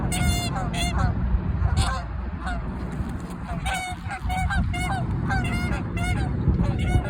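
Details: Canada geese in a territorial dispute, honking loudly: repeated nasal honks, some in quick pairs and bursts, over steady low background rumble.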